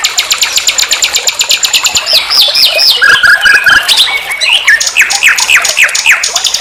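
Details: Nightingale song from a master recording for training songbirds: a fast, regular high rattle, then a series of loud slurred whistles repeated about twice a second, mixed with a brief low chatter.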